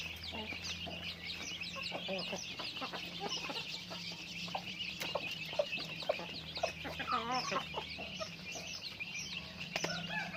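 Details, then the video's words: Chickens going about their day: many overlapping clucks and wavering high notes over a steady low hum, the flock chatter continuous from start to finish. "Natural Sounds of Chickens | Daily Activity with Chickens"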